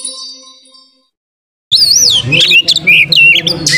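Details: Oriental magpie-robin singing vigorously while spreading its tail, used as a lure song; after a faint low tone and a silent gap, loud varied whistled phrases burst in with sweeping rising and falling notes and sharp chirps.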